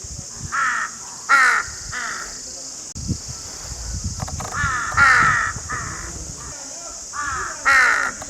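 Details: Crows give repeated harsh, nasal caws in clusters of two or three, roughly every couple of seconds, loud and rasping, against a continuous high-pitched insect-like hiss.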